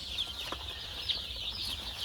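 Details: A boxful of young chickens packed close due to cold keeps up an unbroken, high-pitched peeping chorus with occasional sharper chirps standing out, over a low mechanical hum.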